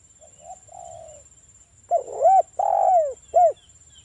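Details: Local spotted dove cooing as a lure to make other doves answer: a soft low opening coo, then three louder arched coos, the middle one drawn out, over a thin high whine.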